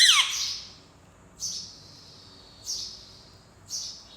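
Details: Caged pet parrot described as talking in Urdu opens with a loud raspy squawk, then repeats short high-pitched chirps at irregular intervals of about a second.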